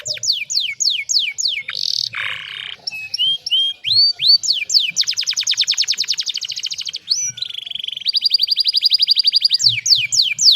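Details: Canary song used as a master lure to get a silent bird singing again: fast descending sweeps, a harsh buzzy note, then long rapid rolling trills and bright repeated tours, clean and loud.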